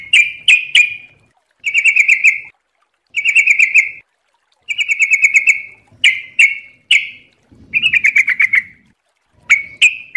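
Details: Fast ropel-style trucuk song, the yellow-vented bulbul, used to tutor birds: sharp single chirps mixed with short buzzy bubbling phrases, repeated roughly every one to two seconds. A faint low rustle sounds briefly near the end.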